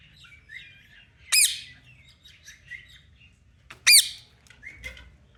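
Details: Pet parrot moving about its cage in a playful mood gives two loud, sharp, ringing squawks about two and a half seconds apart, with soft chattering chirps in between.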